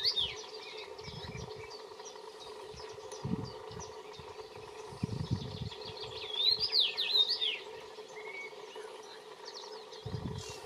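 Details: Common rosefinch (Carpodacus erythrinus) singing while preening: short clear whistled phrases, rising and falling, among busy chirps of other birds, over a steady low hum and occasional dull thumps.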